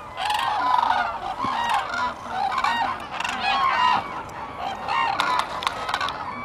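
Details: Numerous common cranes at Lake Hornborgasjon, Sweden, April 2017, producing a continuous wash of trumpeting and rattling calls with a few sharp clicks near the end.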